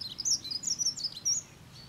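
A Dunnock sings a quick, high, jumbled warble of thin squeaky notes, tumbling up and down for about a second and a half over faint background hiss.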